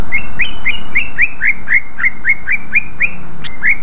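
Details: Greater green leafbird singing loudly and continuously as a lure for rival leafbirds; evenly spaced chirped whistles about four per second, each with a quick downward flick, one sharper high note near the end.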